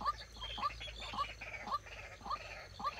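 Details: Decoy White-breasted waterhen used for trapping, calling in quick succession with hoarse, upward-flicked notes about every half second, each trailed by a raspy tail.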